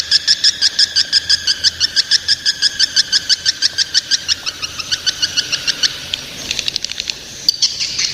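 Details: Young swiftlets: a fast, very regular series of high, clipped tweeting pulses, about three per second, that breaks into a looser, buzzier twitter near the end.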